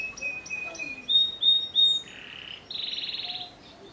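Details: Belgian canary in full song: a few clipped whistled notes, three louder sustained pure whistles, then two fast buzzing rolls, the second pulsing rapidly and higher.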